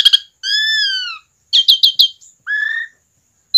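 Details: Asian pied starling in relaxed, lively song, used to coax other starlings into singing: a long falling harmonic whistle, a burst of four buzzy rasping notes, then a lower falling whistle, with short gaps of silence between phrases.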